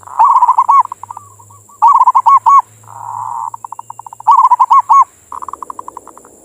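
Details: Perkutut, the zebra dove, singing to provoke other doves, as played mornings and evenings: repeated bursts of loud hooked coos alternating with soft trills and faster pulsed notes, a low hum and a steady high whine.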